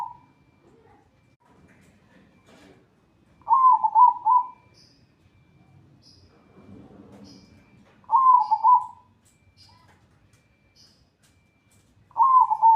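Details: Zebra dove song in the 'atas bawah' style, used as a tutor recording: three short rolling coo phrases spaced about four seconds apart, each a warbled trill. Faint murmuring and low rustling fill the gaps.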